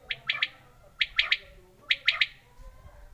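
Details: Quail, called batir locally, calling; a sharp triple phrase of short bright notes repeated three times about once a second, quiet background.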